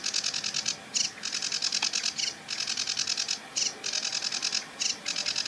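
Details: Sedge Warbler singing and warbling from a treetop at the edge of a marsh with a reedbed: a fast, dry, high-pitched chattering stream of notes broken by brief pauses roughly every second or so.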